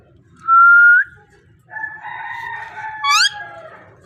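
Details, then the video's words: Parrot that talks, opening with a long steady whistle ending in a small upturn, followed by a drawn-out reedy tone and a short sharp rising squeak. "Amazing parrot voice talking sound parrot"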